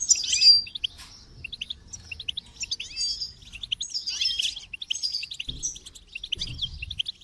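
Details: Goldfinch pouring out fast, high twittering song with liquid trills and buzzy flourishes. Two brief low thuds come near the end.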